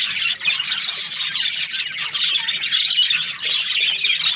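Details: A happy budgerigar's chirping, mostly squeaky, scratchy high notes with small squawks, packed tightly into constant lively chatter.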